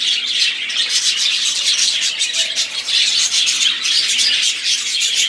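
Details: Group of budgerigars singing, a steady wall of bright, scratchy warbles and chirps overlapping throughout, with brief dips in volume.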